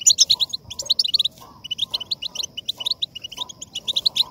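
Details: European goldfinch song used to stimulate caged goldfinches to sing: rapid bursts of bright, tinkling chirps and twitters in dense phrases, with short pauses between runs and a faint low hum beneath.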